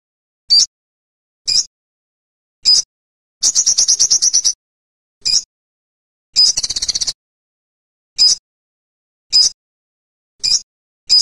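An olive-backed sunbird gives thin, high, sharp notes about once a second, with two longer rapid buzzy trills between them, over a silent background.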